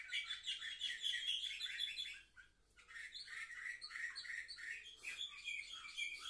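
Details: Young canaries aged seven months, filmed 10 November 2023: loud continuous warbling and trilled chatter, dipping briefly quieter midway before the lively song returns.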